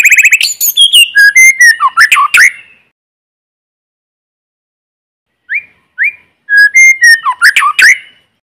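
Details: White-rumped shama (Copsychus malabaricus) singing in forest, loud, rich whistled phrases: clear rising and falling notes mixed with rapid chattery flourishes, in two bursts with a pause between.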